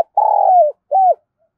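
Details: Spotted dove from Đồng Nai used as a lure bird. A long, throbbing coo falls slightly in pitch, followed after a short gap by a brief arched coo. The background is silent.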